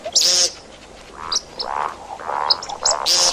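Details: Hunting call of the see-see partridge: a loud harsh rasp, then a few soft rising-falling mellow notes, ending with another harsh burst.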